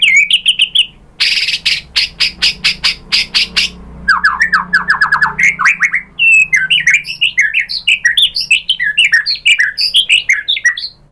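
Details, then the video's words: Lure recording of a White-rumped shama, meant to agitate birds into answering: a short whistle, a burst of harsh rasping squawks, a fast run of sharp falling notes, then dense scratchy chattering phrases. "pancingan MURAI BATU bikin EMOSI NYAUT jadi GACOR"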